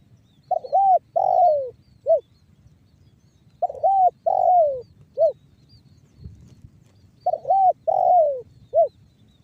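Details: Banggo bocor style coo of a spotted dove, played as a lure to prompt other doves to call. Three phrases about every 3.5 seconds, each two quick coos, a drawn-out falling coo and a brief end note.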